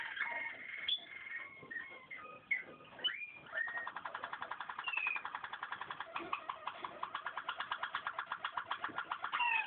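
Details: Waterslager canary song opening with varied whistles and glides, then settling into a rapid, even pulsed trill of about six beats per second to the end.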